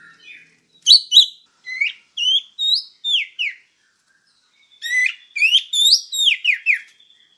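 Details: White-rumped shama giving spaced, clear whistled notes and short downslurred phrases in quick series after pauses, high and bright; master recording used to train other birds.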